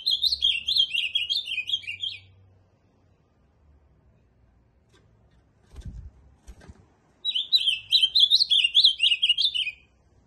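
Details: Two warbled song phrases from an ultramarine grosbeak, each about two to three seconds of rapid slurred notes, separated by a long pause with a few knocks.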